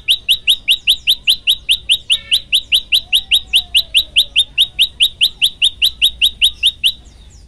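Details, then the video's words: Tailorbird known locally as prenjak lumut, recorded as a master track for song training and singing vigorously: a fast, even series of sharp upslurred chirps, about two or three per second, continuing for nearly seven seconds before stopping. "masteran handal prenjak lumut gacor variasi"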